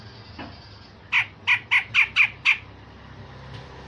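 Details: Grey-cheeked bulbul producing sharp shot-like notes used to train other songbirds: six short, hoarse, evenly spaced barks, about four per second, then silence and one final note.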